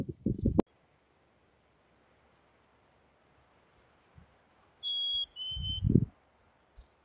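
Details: Wild chickadee at a nest cavity near Emigrant, Montana, June 2022: a clear two-note whistle, the first note higher and the second lower, heard once, after a burst of muffled knocking and scratching at the start.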